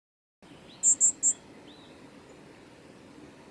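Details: Varied tit at Kitafuji training area, Japan, on 2 December 2018 gives three very high, thin notes in quick succession, about a fifth of a second apart, over faint steady hiss.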